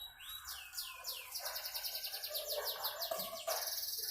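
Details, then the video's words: Canary singing: sweeping downward whistles give way to rapid trills of repeated high notes, several tours in quick succession, with a lower warbling line beneath. "Kicauan merdu burung kenari"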